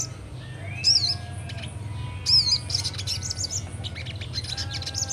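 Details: Sogon, a young bird in full ngleper song, gives two sharp wavering high whistles followed by a busy run of thin chirps, with a constant low droning hum behind.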